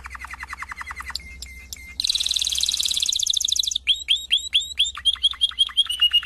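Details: A Belgian canary sings a varied song of rapid rolled trills, a dense buzzy warble, then a series of quick rising-falling whistled notes.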